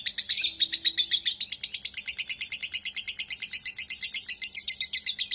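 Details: A lovebird sings steadily repeated high chirps at a quick, regular pace. The notes start louder and more ringing, then settle into an even chattering run, with a faint low hum underneath.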